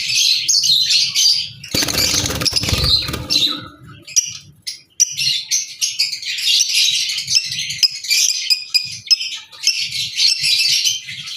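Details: Albino red-eyed lovebirds produce continuous shrill chirping and squeaky twitters in rapid bursts; a loud rustling clatter interrupts between two and three seconds, then the high chatter resumes in pulsing waves.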